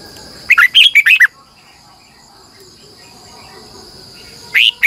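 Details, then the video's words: Red-whiskered bulbul with a long, twisting double-voiced morning song: a rapid run of warbling whistled notes, then a quiet pause, then another phrase beginning with a strong rising note. "Luyện chào mào hót sáng 2020, Giọng kép xoắn dài hót căng, Chào mào mồi gọi bổi hót hay"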